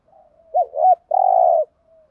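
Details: Captive decoy spotted dove in "gù thúc" urging style, meant to rouse and train newly caught birds to coo: a faint lead-in, a doubled rising-falling hoot, then a sustained vibrating coo fading into a soft tail.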